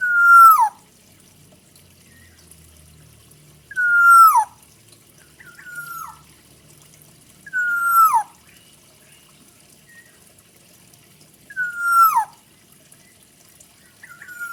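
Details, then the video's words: Kepodang hutan (Black-naped oriole) giving mellow whistled phrases about every four seconds. Each is a steady fluty note that drops sharply at the end. Softer, shorter phrases fall between the louder ones in an otherwise quiet setting. "kepodang hutan full isian"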